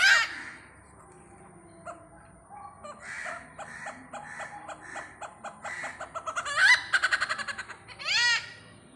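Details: Great hornbill visiting Pathanamthitta, giving loud harsh arching honks near the end, preceded by a series of softer pulsed notes, with a steady high hiss in the background.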